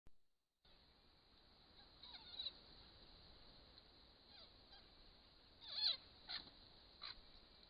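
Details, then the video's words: Noisy friarbirds, also called leathernecks, gathered in big numbers at flowering Grey Box eucalypts in autumn 2015; scattered harsh, squeaky notes with quick downward-bending strokes, a louder burst near six seconds and two short calls after. "Noisy Friarbirds in big numbers"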